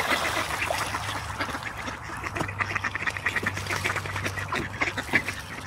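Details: Several ducks splash and play on a calm pond in Espoo, Finland. Quacks come in quick irregular bursts over rippling, splashing water, with a faint low hum underneath.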